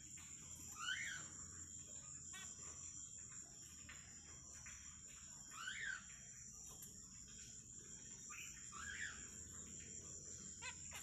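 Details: A pair of zebra finches in a small aviary with plastic plants at night, giving short nasal, harmonic calls that bend up then down, spaced a few seconds apart. A steady high insect drone runs throughout.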